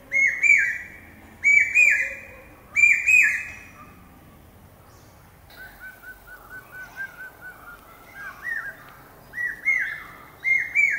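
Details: Common hawk-cuckoo (Hierococcyx varius), the brain-fever bird, calling shrill, whistled three-note "pi-peeah" phrases repeated about every second and a half, with a quieter stretch of fainter phrases midway.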